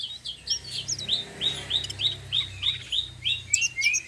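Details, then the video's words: Flowerpecker of the tledekan sitrun selendang biru type, singing in rolling 'ngeroll' style for luring other birds; a steady series of bright, slurred chip notes repeats about three times a second. "BURUNG TLEDEKAN SITRUN SELENDANG BIRU NGEROLL||BISA BUAT PANCINGAN"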